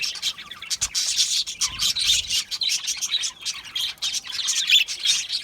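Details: Budgerigars in an aviary produce a busy stream of sharp chirps and buzzy warbles, many birds calling at once without pause; brief low thuds.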